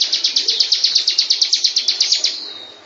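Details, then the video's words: Bar-winged prinia singing as a master bird for training: a fast, even series of about eighteen sharp high chirps, roughly six per second, fading out at the end. "MASTER BIRD CHIRPING BAR-WINGED PRINIA SINGING"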